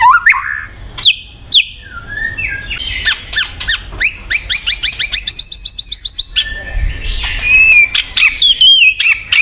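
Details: Varied song of the white-rumped shama (murai batu), played to make a quiet bird start singing. Scattered sharp notes give way to a long rapid series of clipped repeated notes. Higher whistled slurs and chirps then close the passage.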